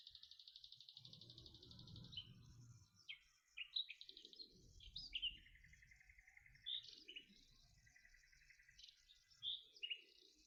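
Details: Two male common nightingales counter-singing, one starting and the other joining in, possibly matching song types, in spring: rich, varied phrases of sharp whistles, buzzy trills and clicking notes, over a low background rumble.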